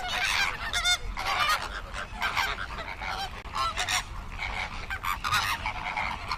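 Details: Flamingos calling as a group: dense overlapping honking, goose-like calls with harmonic bands, many birds at once, continuous chorus without pauses.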